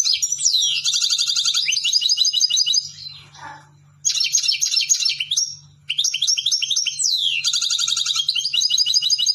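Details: A European goldfinch sings three loud bursts of quick, high twittering, each opening with sliding whistled notes and then rattling into dense, jingling trills. Short pauses separate the bursts, and a low steady hum sits beneath.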